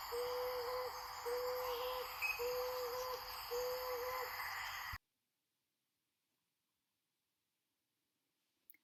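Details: Marbled Frogmouth giving its gobble and bill-clap call, four short bursts of low, hollow gobbling notes about one a second over a steady hiss, then silence and a faint click.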